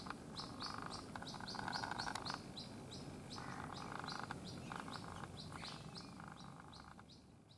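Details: Lost white-breasted waterhen chick in Rajasthan, India, separated from its mother: rapid series of high, thin peeps, about three per second, over bursts of buzzy mid-pitched noise and a constant low rumble.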